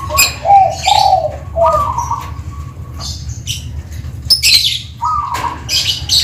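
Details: Zebra dove (perkutut) from Tuban with a 'Kristal' voice: soft, low, mellow cooing notes in short rolling phrases that pause and resume, with high sharp chirps and twitters from other small birds throughout and a low steady background hum.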